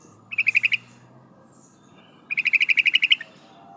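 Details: Female sooty-headed bulbul calling the male: two bursts of quick, evenly spaced bubbly notes, about five and then eleven, separated by a pause, over a faint low hum.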